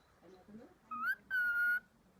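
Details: A cockatiel in speech training and word repetition gives two clear, whistle-like mimicked syllables, the first rising and the second held steady.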